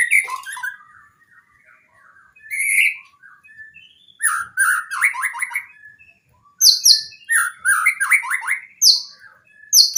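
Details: White-rumped shama training song rich in varied material: bursts of rapid chirps and slurred notes separated by quieter gaps, with loud whistled high notes and fast sweeping phrases toward the end.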